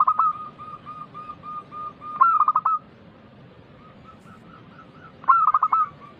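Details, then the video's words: Zebra dove, a local bird with a big loud voice, sings as a lure for other doves. Stuttering coo bursts open and close the passage, joined by a long train of soft repeated notes, some rising and wavering. "Perkutut lokal gacor suara keras besar - pancingan burung perkutut"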